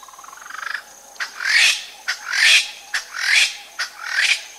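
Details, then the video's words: A double-spurred francolin at Abuko gives its territorial call close up, harsh, grating calls about once a second, each a short click followed by a rasping burst, opening with a soft rising trill, followed by quiet calls. "Double-Spurred Francolin. Territorial Call CU, Following Quiet Calls."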